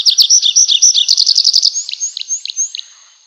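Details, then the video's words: Loud nightingale song of rapid sharp repeated notes accelerating into a quick trill, ending with a few spaced, high, thin upslurred whistles. "ЗВУК СОЛОВ'Я | Який звук видає соловей"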